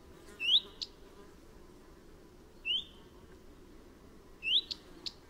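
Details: Common redstart, Phoenicurus phoenicurus: a thin rising whistle followed by a short click, repeated three times over about five seconds against a low steady rumble.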